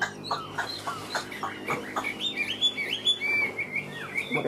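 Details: A caged Chinese hwamei, about one and a half years old and in its first winter moult, opens with short notes repeated about every half second, then breaks into loud, rich, slurred whistles that rise and fall over a low hum.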